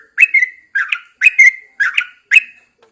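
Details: Caged Yellow-vented Bulbul (trucukan) hung outdoors at early morning to prompt singing, giving five bubbly, chattering phrases of slurred notes, each about half a second long with brief pauses between.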